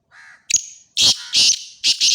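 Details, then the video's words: Black francolin calling near Khushab: a short sharp note sliding upward, then four loud harsh buzzy bursts in two quick pairs, preceded by a faint lower warbling sound. "kala teeter ki awaz"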